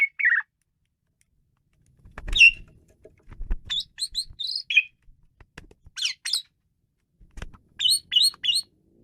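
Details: Asian pied starling singing at full energy: a short downslurred whistle, then scattered clicks and a string of bright ringing whistled notes in groups of two to four, with brief pauses and occasional low thumps.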